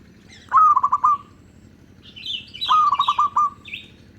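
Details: Local zebra dove song used as a lure for other zebra doves. It gives two cooing phrases, each a bright note followed by rapid staccato pulses at a steady mid pitch. Higher chirps from another small bird come between them.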